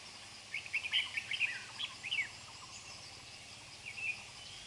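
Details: Red-whiskered bulbul at a trapping site, an old wild bird with a dark bib and a quick-paced voice, sings a lively string of sharp chirps and warbled notes, then one lone note near the end; low hum underneath.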